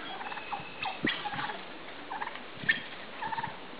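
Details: Midget White turkeys mating, a receptive hen with a displaying tom; short repeated clucking and purring notes with a few higher yelps, over a faint background hiss.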